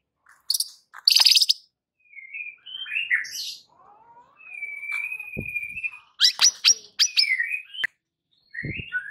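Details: White-rumped shama singing to provoke rivals into fury: sparse, varied phrases with a long, steady whistle in the middle, scattered high sharp notes, brief slurred whistles and clicks separated by silences.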